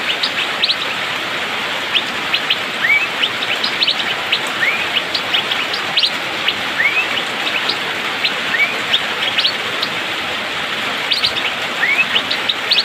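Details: Asian fairy-bluebird in full rainy-season song, rapid and tightly spaced. Rising whistles recur every one to two seconds among many short high chips, with steady rain noise underneath.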